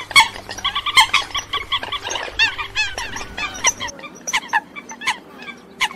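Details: Eurasian coot lure sound for night net trapping, 2022 season: bursts of short harsh nasal calls overlapping in a busy chorus, with a low hum underneath for the first four seconds, then sparser single calls.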